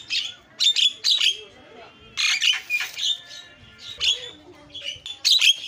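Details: Javan myna sounds used to provoke other mynas into calling: spaced harsh, squawking bursts with whistled overtones, separated by quieter gaps, ending in a loud screech.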